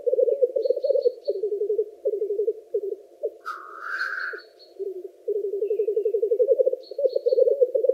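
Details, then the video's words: Black grouse give a low, continuous, dove-like bubbling, broken once by a harsh rising hissed sneeze, with faint high chirps from small birds. "Black Grouse"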